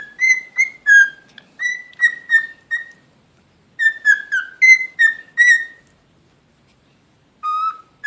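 A cockatiel gives a run of clear, whistled chirps, some rising and some falling, in quick bursts.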